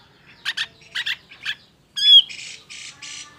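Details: Agitated cucak jenggot voice meant to provoke other birds to sing: three rough chattering notes, then a loud bending whistled note followed by buzzy harsh rasps.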